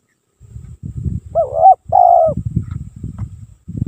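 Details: Spotted dove song from a lure recording: a single two-note coo, wavering then long and falling, clearly heard over continual low rumbling and thumping noises before and after.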